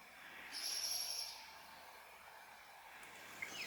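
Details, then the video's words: A New Zealand bellbird (korimako) in winter in the Maungakotukutuku Valley, Kapiti, New Zealand, feeding on insects, gives one clear, ringing, bell-like note held almost a second over a soft steady hiss, then a faint short chirp. "Bellbird / Korimako in Winter with birdsong"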